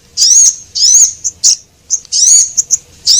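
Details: Javan munia lure call, female and male birds, used to attract small birds: thin, high, slightly rising squeaky notes with short sharp chips in between, about eight bursts in three seconds, no other sounds.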